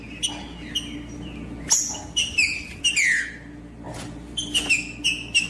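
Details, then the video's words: Green-winged saltator, short whistled and slurred notes in brief bursts with pauses, somewhat faint against a constant low hum and background hiss. "TRINCA FERRO CANTANDO"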